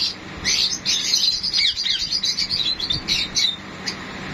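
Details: Mating sun conures produce a continuous run of shrill, twittering chirps, fast and overlapping, in a short burst of excited high-pitched chatter over a low background hum.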